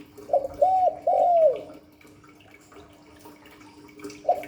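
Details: Hạp Bổi style coo of a spotted dove, meant to provoke a quick reply: a three-note phrase ending in a long sliding coo, then quiet and the start of another phrase, with a low background hum.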